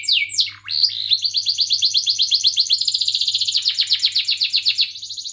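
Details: Lively canary song, chirping and rolling, meant to teach young canaries: quick downward sweeps open into a long fast rolled trill of even, pulsing notes that slowly drops in pitch, with a faint low hum beneath.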